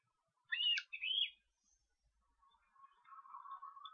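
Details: Osprey young at a nest in Estonia on 13 July, being fed, give two loud high squealing whistled notes in quick succession, then softer lower chattering.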